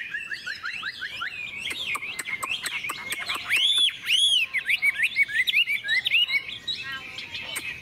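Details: Caged Chinese hwamei sings on a morning in the sun after feeding: quick chirps, then loud arched whistles rising and falling, followed by rapid twittering.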